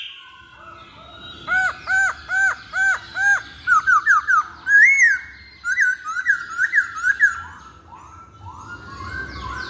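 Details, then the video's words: Masked laughingthrush song as a lure recording: five evenly spaced looping whistled notes, then quicker chattering phrases and a string of short upslurs fading into softer sweeps. "Pancingan Poksay Hongkong"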